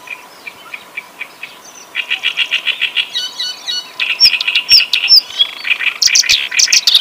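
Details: Reed warbler singing steadily: a string of evenly spaced chattering notes speeding into harsh buzzy phrases, then high piercing whistles and scratchy trills mixed together, loud and busy throughout.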